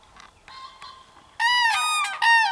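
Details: Cranes facing down a dog on 21 April 2015. Faint softer notes come first, then a loud, resonant trumpeted call lasting under a second, followed quickly by a second strong, harmonic-rich blast with a gently falling pitch.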